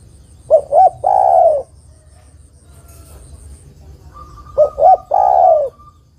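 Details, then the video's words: Female spotted dove calling to attract a male, recorded for bird luring. Two phrases about four seconds apart, each a quick double note and then a long, low, descending coo, over faint background hiss. "tekukur betina memanggil jantan"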